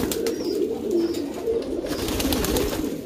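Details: Brief passage from a pouter pigeon loft: several domesticated rock doves give deep, warbling coos that overlap continuously, with faint high chirps and light tapping.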